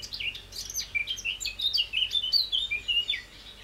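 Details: A Eurasian blackcap, often seen in the Wangental bird area, delivers a bright, hurried warble: short whistled and slurred notes tumbling up and down in quick succession, about three per second, clear against a quiet background.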